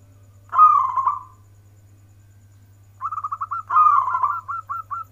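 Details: Local zebra dove in the warung kebek (warkebek) style: a trilled coo, a pause, then a rapid series of clipped notes merging into another rolling coo and more short notes; low background hum.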